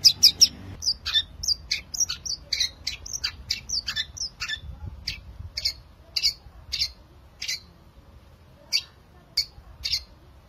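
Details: Long-tailed shrike song, used to lure silent shrikes into singing: a fast burst of sharp, high chirps that gradually slows to single spaced notes, each bright and abrupt, over ten seconds.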